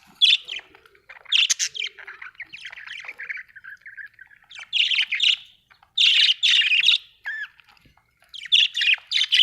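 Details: Budgie chatter from Australia. Grating, squawky bursts mix with a softer warbling run in the middle, then louder clusters return in uneven groups over nine seconds. Nothing else is heard in the background.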